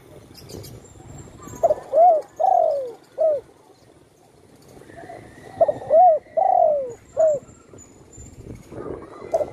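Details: Spotted dove at home after a shooting injury to its wing gives two full coo phrases about four seconds apart, each ending with a long falling coo and a short arched note, then begins a third.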